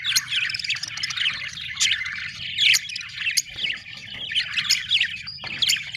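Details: Steady budgerigar chatter: a dense stream of trilled, buzzy and whistled notes rising and falling without pause.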